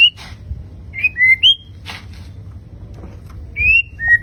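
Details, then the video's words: White-rumped shama of fighter type, singing its prized 'tembakan' bursts: short clear whistled notes sliding up or down, spaced by brief pauses, mixed with a few harsh noisy rasps over a low steady background hum. "BURUNG MURAI BATU FIGHTER TEMBAKAN MEWAH"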